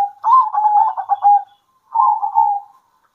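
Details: Local Indonesian zebra doves singing at midday and answering each other. A soft, low, rolling coo with a quick trilled middle section, followed after a short pause by a second, shorter burbling phrase. There is no background noise.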